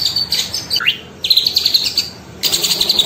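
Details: Small minivet song used as a tutoring recording for other cage birds: bursts of sharp, high chattering notes, a brief upward slur, then a rapid high trill, with faint low hum underneath.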